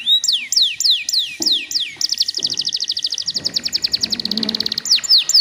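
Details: Canary song played to stir untrained canaries into singing; looping downslurred whistles give way to a long accelerating trill of sharp notes, ending in swooping whistles, over a faint steady tone.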